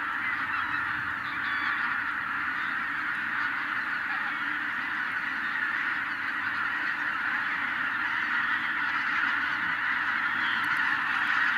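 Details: Tens of thousands of wild geese flushed into the air by a white-tailed eagle, their massed calling merging into a continuous, dense roar of overlapping honks, steady in loudness throughout.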